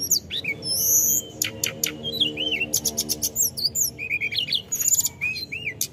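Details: Snowy-browed flycatcher (tledekan gunung) in full 'gacor ngerol' form: high thin whistles, sweeping slurred notes and sharp ticking bursts, varied phrases tumbling one after another, with a faint low hum underneath.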